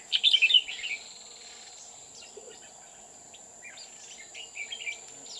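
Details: Red-whiskered bulbul decoy singing during trapping at An Phu mountain near Huong pagoda, 20 October 2019; a loud warbled phrase opens, followed by soft scattered chirps from other birds against a continuous high insect whine.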